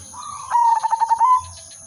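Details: Zebra dove of the silver udanmas type in full, melodious song for luring birds: one bright phrase of rapid, evenly pulsed coos rising slightly at the end. Faint low rumbling sounds come before and after, under a constant high whine.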